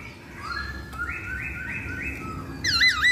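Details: Masked laughingthrush, lure track: a row of short stepped rising whistles over low background noise, then loud quick wavering looped notes at the close.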